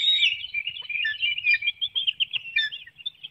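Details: Bald eagles at a nest in Hanover, Pennsylvania, on an early June 2019 morning, 7:04 a.m., as a small fish is fed to the young. A high squeal falls into a rapid, chittering run of short piping notes.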